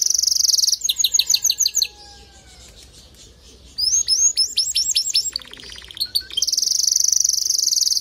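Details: Male canary song meant to get a female canary building her nest fast; a bright high trill, quick repeated chirps, a brief pause, then rising slurred notes, a buzzy rattle and a long ringing trill.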